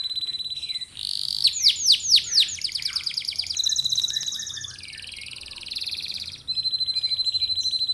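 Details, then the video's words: Canary singing to prompt other canaries: a burst of loud arched sweeping notes, followed by rapid rattling trills and a long steady high trill, switching between phrases. "PANCINGAN KENARI GACOR❗CENGKOK MEWAH GAMPANG DIIKUTI KENARI"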